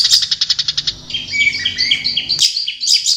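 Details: Long-tailed shrike in its natural habitat, opening with a quick string of evenly spaced high chips, then varied slurred whistles and twitters.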